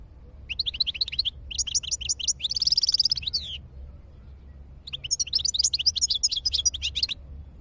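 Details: European goldfinch song in two bursts: rapid tinkling twitters leading into a dense buzzy trill, a short pause, then another fast liquid phrase of repeated chirps, with faint low background hum.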